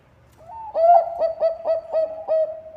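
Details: Energetic Bangkok-type zebra dove song used as a lure for other birds: a rising introductory coo, then about seven loud clipped coos repeated roughly every quarter second.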